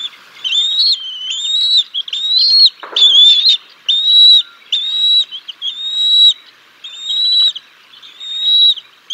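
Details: Decorah North nest, 6 May 2022, parent bald eagles feeding fish to their chicks: high squealing whistles repeated about once a second, with one brief low knock midway.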